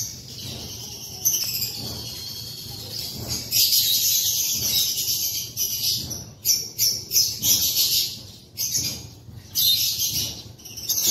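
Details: African lovebirds in an aviary on an April morning, including opaline, greywing, edge and pale fallow colour varieties, keep up dense, shrill high-pitched chirping and chattering, overlapping calls from several birds coming in bursts with short quieter gaps.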